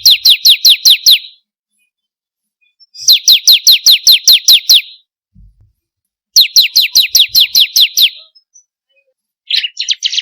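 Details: Bar-winged prinia (ciblek kristal), recorded as a lure to prompt other prinias to sing: three bursts of eight to ten sharp, high chirps, each sliding steeply downward, delivered quickly, with pauses of about two seconds between bursts.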